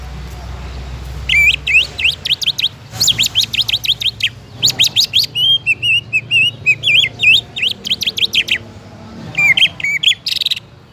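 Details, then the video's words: Caged greater green leafbird singing in full voice, used to prompt other leafbirds to sing: rapid series of loud whistled notes sweeping up and down, in bursts separated by short pauses, with varied chattering phrases mid-sequence. "PANCINGAN CUCAK IJO AGAR CUCAK IJO LAIN CEPAT GACOR"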